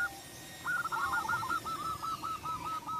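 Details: Zebra dove (perkutut) singing to provoke a rival into answering: a rolling, stuttered coo of quick trilled notes followed by a run of short repeated coos, over steady background noise.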